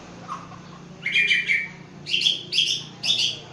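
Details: White-rumped shama from Aceh, a competition-class songbird, giving short, rich, warbled bursts, four phrases spaced about half a second apart, with a soft low hum underneath.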